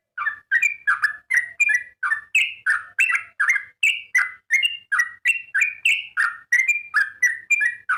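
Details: Sooty-headed bulbul singing energetically, a continuous string of short, liquid, fluty phrases delivered about three per second, alternating between slightly lower and higher notes, with no other sounds clearly heard.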